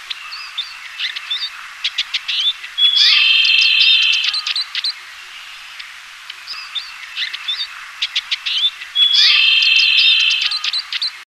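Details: Eurasian siskin singing: a rapid, twittering run of high chirps and trills, broken by drawn-out buzzy wheezing notes near 3 seconds and again near 9 seconds, with short thin chips between phrases and no other clear sounds.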